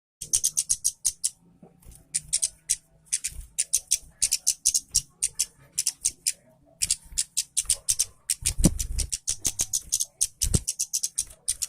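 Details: Orange-headed thrush in full song, used as a lure to get reluctant birds of its kind singing; bursts of rapid high, sharp chirping notes in quick phrases with short pauses, plus faint low thumps.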